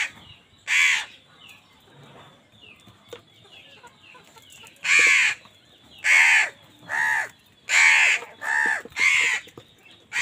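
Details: Crows fighting with other wild birds over food give harsh, broadband caws, one early then a run of six loud calls in the second half, each about half a second long, with quiet background between.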